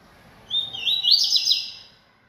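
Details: Loud, clean song of a caged yellow-bellied seedeater: a high whistled start climbs into a rapid run of sharp, slurred notes, about a second of bright warbling, then silence.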